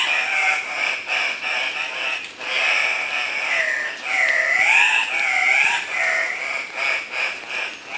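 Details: Male Andean cock-of-the-rock in full display at a morning lek near Pacto Sumaco, Napo, Ecuador, 15 February 2015: harsh nasal squawks with wavering, rising and falling notes, several birds overlapping continuously.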